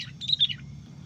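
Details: Sooty-headed bulbul, trapped using a decoy bird; a young one was caught. A single short burst of high, slurred chirping notes lasts about half a second over a faint low background hum.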